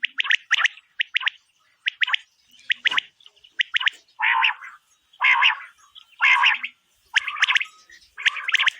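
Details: Quail calling, possibly a female used to lure quail for hunting, in quick bright pairs and triplets of clipped whistled notes, alternating with lower, rougher bursts about once a second.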